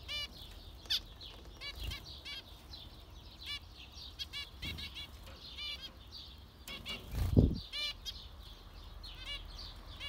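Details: Ten seconds of repeated short, buzzy zebra finch calls from more than one bird, interrupted by several low thumping knocks, the loudest around seven seconds.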